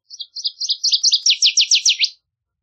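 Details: A full Northern waterthrush song: soft, high paired chips that speed up and grow louder into a rapid, emphatic series of sharply downslurred notes, then stop abruptly.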